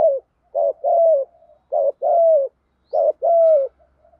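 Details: Spotted dove giving Thổ-style cooing, meant to stir long-silent captive birds into calling. Low coos come in three paired phrases, each a short note followed by a longer falling one, about a second apart.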